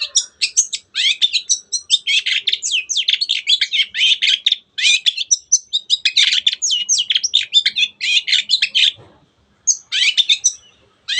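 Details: Long-tailed shrike pouring out continuous, rapid, scratchy high chatter and squeaky notes in its lively 'teot teot' song, meant to excite other birds; brief pause near the end before the stream resumes.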